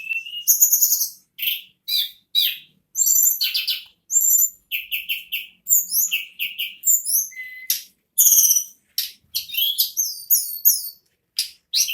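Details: Ashy tailorbird (tledekan, sulingan gunung) delivering nonstop nagen ngerol song: a dense run of thin high chirps, trills and sweeping whistles with only the shortest gaps over twelve seconds.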